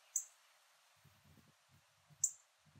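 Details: Rare yellow northern cardinal in a backyard in Port Saint Lucie, Florida, recorded by iPhone, giving two sharp, high metallic chips about two seconds apart over quiet background hiss and faint low thumps.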